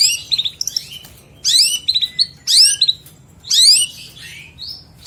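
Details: Long-tailed shrike delivering its full song as training material for other birds: bursts of sharp, high, slurred chirps and short whistled notes, about one burst per second, separated by short silences.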